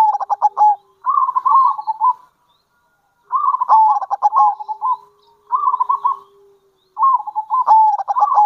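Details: Local zebra dove calling, kerot and bekur style, used to lure other zebra doves: about five quick, bubbling, stuttered coo phrases separated by brief pauses, with a faint steady low hum underneath.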